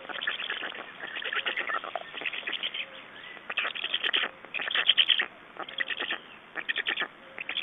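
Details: Black stork nest in Estonia, 6 June 2011, as the adults swap places and feed: noisy, grating pulse trains come in separate bursts of about one second, with quieter gaps between them.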